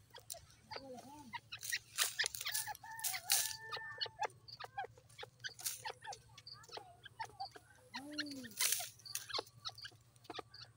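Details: Grey partridge (gora teetar) in Pakistan playing in mud, giving soft clucking chirps and short arched notes in loose bursts, with sharp clicks and scraping between them and faint voices nearby.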